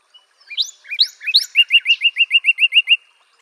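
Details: Single phrase of northern cardinal song: three rising whistled sweeps lead into roughly eleven rapid, evenly repeated slurred notes.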